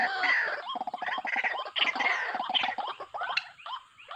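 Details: White-breasted waterhen calls from a trapping lure: loud, close, jumbled series of upswept croaks and harsher squawks, dense at first, thinning toward the end.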